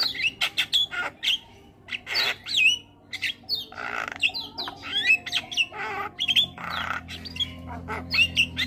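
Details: Starling song for training birds and prompting them to sing: irregular harsh squawks alternating with short high whistles and twisting sweeps, loud and busy throughout.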